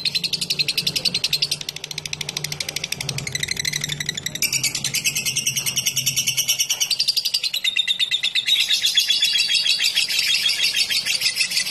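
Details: Lovebird in a long chattering song (ngekek panjang), meant to lure other lovebirds into chattering too: a dense, unbroken rattle of harsh, buzzy notes that rises in pitch and intensity partway through and runs on without pause.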